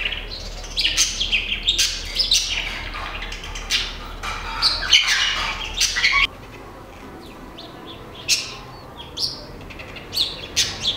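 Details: Great-tailed grackle in a garden, north Nezahualcóyotl, State of Mexico: sharp clicking chips and scratchy squawks in quick bursts, then a quieter stretch with isolated sharp clicks.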